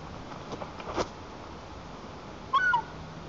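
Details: A white-tailed eaglet in its nest in Lower Kama National Park, Tatarstan, on 21 July 2023, throwing a tantrum at its mother on a branch. It gives a quick pair of shrill whistled squeals, the second sliding down, after soft knocks over a steady hiss.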